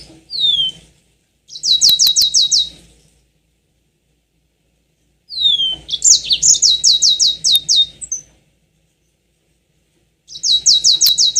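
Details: Lure song of a yellow-fronted canary, played to push other birds into long rolling song. A falling whistle opens bursts of rapid, evenly repeated high trilled notes, about eight per burst, separated by several seconds of silence.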